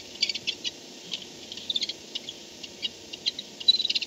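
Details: At 4:38 am on 2-10-16 a barn owl comes back to its nest, filmed by a nest camera; sparse high ticking clicks at first, then a quick cluster of sharp chitters at the close.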